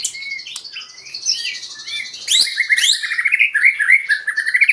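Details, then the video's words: White-rumped shama singing to provoke other birds into song: soft warbled whistles, two sharp loud bursts, then quick rhythmic phrases of repeated twittering notes. "Pancingan murai batu 🔥 Naikan emosi burung auto ikut gacor"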